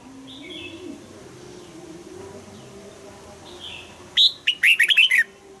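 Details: Red-whiskered bulbul performing double-note 'old forest' style song for morning-song training: soft faint warbles first, then one loud rapid phrase of about six sharp, downslurred whistles near the end.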